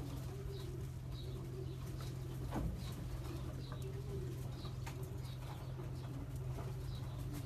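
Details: Low, throaty coos from champion racing pigeons bred for long-distance races, with several muffled phrases over a steady mechanical hum and one brief louder knock.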